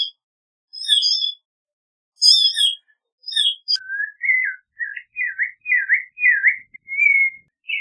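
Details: Clay-colored thrush sounds: sharp high chirps in clusters, then a run of fluid, wavering whistled notes at lower pitch, closing on a longer steady whistle.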